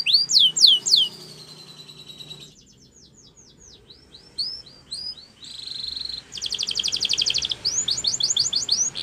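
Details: Belgian canary song for training other birds: loud falling slurred whistles, a softer run of quick notes, a steady tone, then a dense rapid trill and short swooping notes.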